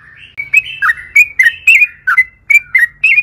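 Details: Yellow-vented bulbul singing long and lively, used as a lure to make other bulbuls sing: quick series of short warbled, bubbling notes repeated about three times a second, clear and loud with faint low hum beneath.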